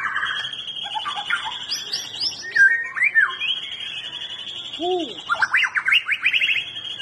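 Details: White-rumped shama song played to stir a quiet bird into singing: a varied run of clear whistles, quick rising slurred notes and rapid trills, with one low swooping double note near the middle.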